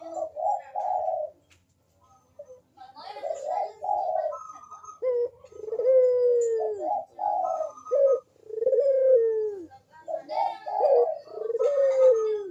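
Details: Barbary dove in full manggung cooing, played to prompt lazy doves to call. Long, slightly falling low coos alternate with quick pairs of rounded notes in repeated phrases, with occasional brief higher chirps.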